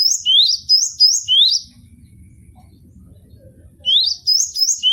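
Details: Cinereous tit (gelatik batu) giving its full range of song on a bird-training recording. Clear rising whistled two-note phrases repeat about three times a second in two bursts, separated by a pause with a faint low rumble.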